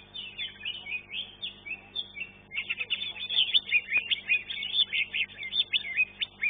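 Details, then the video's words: Singing-contest green leafbird, third in class 1, producing fast, scratchy twitters that build into an energetic flurry of sharp, rapidly repeated high whistled notes. "KELAS KE 1 CUCAK IJO"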